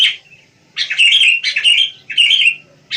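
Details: Wild sooty-headed bulbul giving short, bubbly warbled phrases, three bursts of about half a second each separated by brief silences, liquid and chattery in tone.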